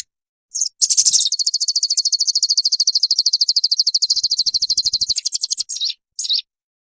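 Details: Olive-backed sunbird singing, used to train caged birds to sing: a few short high chips, then a long, fast, even trill of thin notes for about five seconds, ending in scattered chips.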